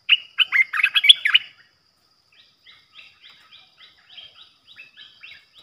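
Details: Caged decoy Olive-winged Bulbul used for trapping: a loud burst of gurgling, chattering notes, then a long series of faint, quick, clipped notes repeated about four times a second.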